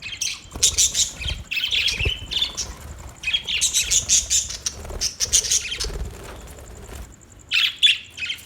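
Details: Budgerigars giving rapid rasping squawks and chirps in dense bursts, some overlapping, broken by brief pauses and soft background rustling.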